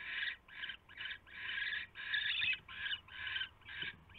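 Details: Owl at its nest shortly after midnight on 27 January 2016 as a huge rat is brought in; harsh, raspy hissing screeches in quick succession, about eight bursts in four seconds, with a faint low hum underneath.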